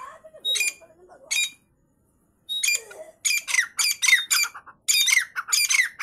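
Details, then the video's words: Female partridge, an Irani teetar, giving loud, harsh, grating squawks in uneven bursts: two short calls, a pause of about a second, then a rapid run of scratchy notes, all in a quiet indoor setting. "irani female teetar"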